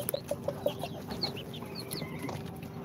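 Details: Two-day-old incubator chicks, Sultan, Golden Sebright, Cochin and booted breeds, give a few scattered high slurred peeps, preceded by four quick lower soft notes in a row, over a background of hum and faint rustling.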